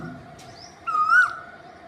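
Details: Cuckoo giving a single clear whistled note that swells, holds level and then slides downward, over a faint continuous hum and a soft chirp.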